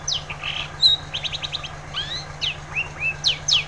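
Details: Long-tailed shrike song meant to coax a quiet shrike into singing: sharp downslurred whistles, a rapid burst of clicking notes and curved rising whistles, over a constant low electrical hum.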